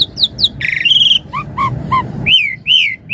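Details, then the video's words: Javan pied starling singing with full variation: high falling whistles, a short rattled note, a run of three lower rising-falling whistles, then looping clear whistled phrases, over a low steady background hum. "Suara Jalak Suren Gacor Isian Mompa Full Variasi"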